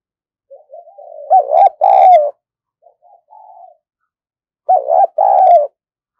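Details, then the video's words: Spotted dove kept as a decoy bird for luring wild doves. Soft lead-in notes build into a loud two-part coo, a quiet mid-pitched note follows, then another full two-part coo arrives about three seconds later. Otherwise quiet background. "Chim Cu Gáy Mồi Cực Sung Dùng Kích Bổi Mới"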